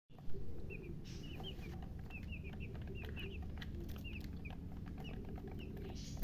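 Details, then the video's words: Newly hatched chicken chicks peeping: short high chirps, often in quick pairs, scattered through the clip over a steady low hum and background rumble. "Tot Murgi chicks chirping sounds Just Born Baby Gallina FRACAS Chicks Piar Loudly Sound"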